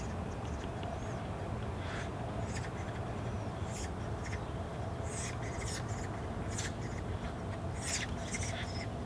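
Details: Rambunctious acorn woodpecker family group in an urban nature area, chicks close to fledging: repeated harsh, noisy calls in clumps through the recording, with a deep background hum of planes and traffic.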